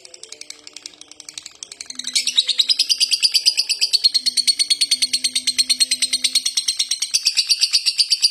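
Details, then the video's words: Long, non-stop ngekek chatter of a lovebird: soft rapid notes at first, then after two seconds a loud, shrill, machine-gun stream of harsh chirps that continues unbroken, with a faint low hum beneath. "Lovebird konslet ngekek panjang diglodok gak mau berhenti"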